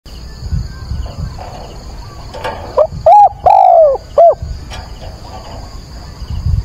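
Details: Caged decoy spotted dove calling at dawn on 22 October during decoy training, giving one four-note cooing phrase: two short hoots, a long falling coo, then a final short hoot, with faint background hiss.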